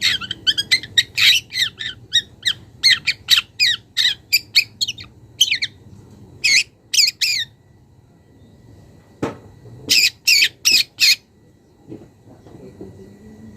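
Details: Young wild long-tailed shrike calling a rival: a long series of rapid, harsh rasps and chatters, then a pause and a final burst of loud, grating notes.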